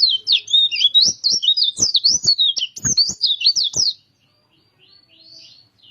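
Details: Bali white-eye of the Kintamani type in full song, a dense stream of rapid high chirps and twisting notes lasting four seconds, then silence and faint softer calls.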